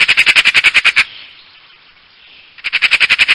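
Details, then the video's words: Magpie call: a fast, dry rattle of clipped harsh notes that stops abruptly, followed by a pause of about one and a half seconds before the machine-gun-like chattering resumes. "Saksağan Kuşu Sesi"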